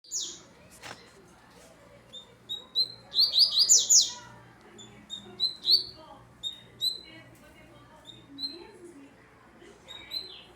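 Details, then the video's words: Double-collared seedeater coming out of moult, song dated 12/07/23: rapid bursts of high, sharp chirped notes in fast frenetic runs, with separated chips before and after and a faint low hum underneath. "coleiro Frenético passando 30. velocista de natureza"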